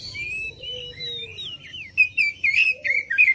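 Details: Lure song of the Oriental magpie-robin meant to draw replies from other birds: a soft, wandering whistled warble, then a run of loud, short, sharp whistled phrases repeated rapidly to the end.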